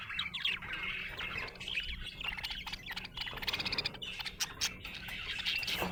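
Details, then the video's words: Happy budgie (budgerigar) chirping: a soft, continuous warbling chatter of quick chirps and short whistled notes, fairly quiet, with a faint steady low hum beneath throughout. "Happy budgie chirping sound"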